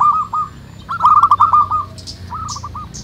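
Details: Wild local zebra doves calling together, a brief cooing phrase, then a loud fast burst of staccato notes and a softer trailing phrase, with high chirps and a flutter of sound behind.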